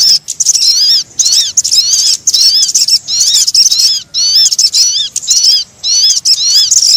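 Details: Used as a bird-attracting lure, this crimson sunbird call runs in rapid bursts of sharp, high, up-and-down whistled notes, roughly one burst per second, with brief gaps.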